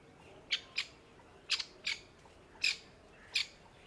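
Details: Grey francolin hen guarding newborn chicks on a brown summer leaf floor calls in harsh, scratchy doublets, three paired bursts spaced under a second apart.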